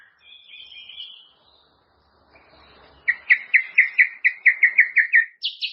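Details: White-rumped shama song for teaching caged birds: a soft whistled phrase, a pause, then a rhythmic row of about a dozen loud clipped notes repeated quickly, ending on a high shrill note.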